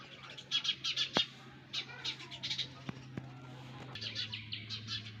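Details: Sparrow young in the nest utter faint, rapid high chirps in short groups that fade toward the end, over a low background hum with occasional clicks.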